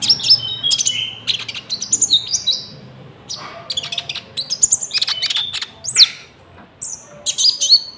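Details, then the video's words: Konin in full song from a trapping and caged-bird training lure, with cricket sounds added: bursts of high, bright whistles and sharp chips, some sweeping down steeply, separated by short pauses. "PANCINGAN GACOR BURUNG KONIN ISIAN JANGKRIK , AMPUH BUAT PIKAT & MASTERAN"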